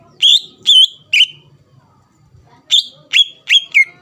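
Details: Greater green leafbird song played to provoke rival birds: three separated slurred whistles, a quiet gap with faint low murmuring, then four more sharp whistled notes, the last falling.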